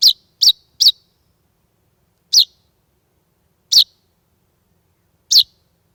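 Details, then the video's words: A lone chaffinch fledgling at a front door on a warm summer evening around 8:30 pm, 16 July 2020, parents absent, gives six short, high chirps: three close together, then three single notes over a second apart, in quiet surroundings. "Sleeping baby bird - chaffinch / Magav linnupoeg - metsvint"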